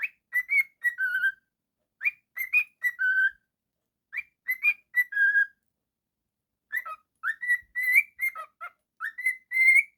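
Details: Pet cockatiel delivering loud, repeated whistled phrases of clipped, rising notes, each ending in a lower drawn-out tone, four phrases with short gaps, in an otherwise silent setting.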